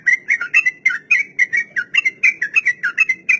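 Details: Sooty-headed bulbul, long rolling 'ropel' song for training untamed caged birds: brisk whistled notes in quick succession, roughly four each second, alternating small rising and falling inflections.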